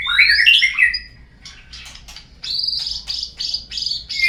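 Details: White-rumped shama song played to prompt other birds to sing: a fast sweeping whistled flourish, then a steady run of repeated bright high notes about three per second.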